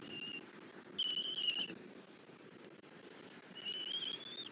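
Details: Bald eagles at a nest in Southwest Florida on 3 February 2024 at 08:41, the male bringing a rabbit as the female feeds the chick E23; thin, high whistled notes, one short, one longer and one slightly rising, over a steady low background hum.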